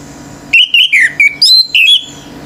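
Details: A pure male Orange-headed thrush sings in full, intense song meant to provoke other birds into singing. Six loud, clear whistled notes follow in quick succession, the early ones slurring downward and later ones jumping higher.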